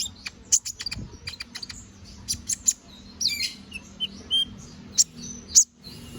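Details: Canary in full 'gacor ngobra' voice, meant as tutor song for magpie-robins: irregular high chirps, short buzzy warbled phrases and piercing whistled notes, roughly a hundred notes a minute.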